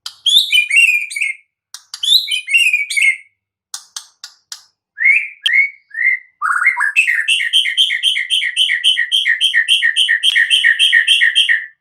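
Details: Wild white-rumped shama giving rich whistled phrases with falling slurs and scattered clicks, then a long fast series of repeated chattering notes, about two per second accelerating into a steady rhythmic run.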